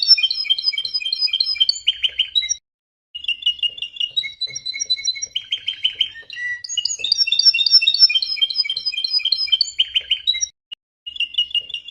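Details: Belgian canary with red mutation singing a long varied song: fast repeated whistled trills, buzzy rolling phrases and sudden pitch changes, with two brief pauses.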